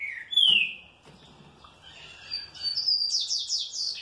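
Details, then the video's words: Happily responding, well-kept green-winged saltator: a loud downslurred whistle opens, followed after a short gap by a rising series of fast, bright, repeated high notes. "TRINCA FERRO MANDRAKE BEM TRATADO RESPONDE COM ALEGRIA"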